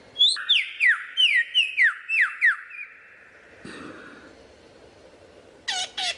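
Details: Lyrebird giving a varied song: a rapid run of about eight loud whistled notes, each sliding steeply downward, then a quieter noisy stretch and two sharp bright bursts at the end.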